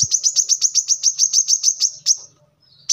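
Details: Kolibri kelapa (brown-throated sunbird) in a lively tutor recording for caged birds: a steady, fast series of about fourteen high, piercing notes that stops abruptly, then one more note after a short silence.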